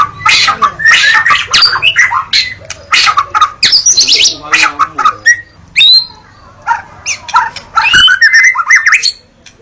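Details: Murai batu, or white-rumped shama, singing in Indonesia: rapid mixed phrases of ringing whistles, rasping bursts and clear upslurred notes, thinning into sparser whistles after five seconds against a low hum.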